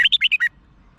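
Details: Red-whiskered bulbul song from Thailand, played to get caged birds excited: a single fast phrase of five bright, bouncing whistled notes in under half a second, then quiet.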